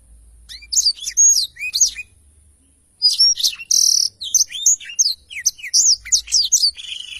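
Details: For training songbirds, a black-throated canary's song serves as tutor: two bursts of high chirps and whistles split by a one-second silence, the second holding a brief buzzy note and many rapid slurs.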